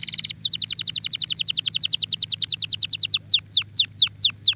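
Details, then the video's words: Spanish Timbrado canary ready for mating, delivering a rapid metallic trill of sharply descending notes, about twelve per second, slowing into longer downward-swept whistles; a faint low hum runs underneath. "غناء طائر الكناري تمبرادو جاهز لتزاوج صوت الكناري"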